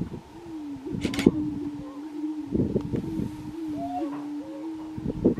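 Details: Colorado grouse on a lek, 2023, giving a sustained low humming drone broken by clusters of sharp pops and clucks, with a brief higher arched whine partway through.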